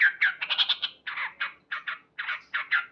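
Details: Loud morning chatter of a male yellow-vented bulbul: a fast burst of scratchy notes, then slower, spaced rasping syllables repeated several times.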